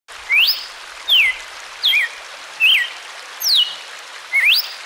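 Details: Red-cowled cardinal song used for training captive birds: six clear whistled notes, each slurring steeply up or down, about one per second, over a constant hiss.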